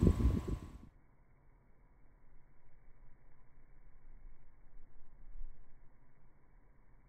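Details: A brief bump at the start gives way to quiet room tone with a faint low hum and no animal calls.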